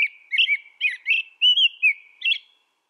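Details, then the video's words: Continuous caroling of an American robin recorded outdoors: about six liquid whistled phrases in quick succession, each slurring up and down, in a clean, quiet setting. "American Robin Bird Song Sound"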